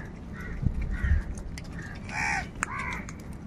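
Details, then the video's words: Crows squabble over food. Faint low calls lead into one loud, harsh, drawn-out caw, then a short clipped caw follows. Low background rumble. "Kaka sound and noises of Crow birds | কাকের ডাক Crow Sound Crow ki Awaz"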